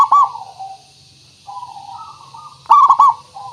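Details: Zebra dove, a local singing perkutut used as a lure to make other birds sing, gives soft level cooing notes and a loud rolling burst of quick trilled coos near the end.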